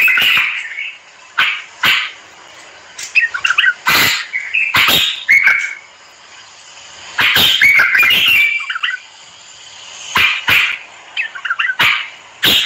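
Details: Moroccan common bulbul in vigorous, chattering song: repeated loud, bubbling whistled phrases and liquid warbles broken by sharp bursts, coming in clusters with short pauses throughout.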